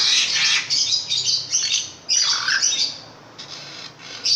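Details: A long-tailed shrike, said to have a very big voice, delivers a rapid string of rasping, squawky notes. Two dense bursts are followed by fainter scratchy fragments.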